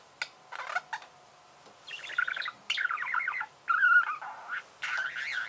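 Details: A budgerigar gives a few isolated squeaks, then longer runs of buzzy, rattling chatter and trilled warbling phrases, including one loud, harsh, scratchy burst near the middle.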